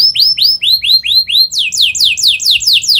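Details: Canary in full fast song, played as a lure for young canaries learning to sing: a series of arched whistled notes about four per second, then higher, sharper downslurred notes repeated in a brisk, even rhythm.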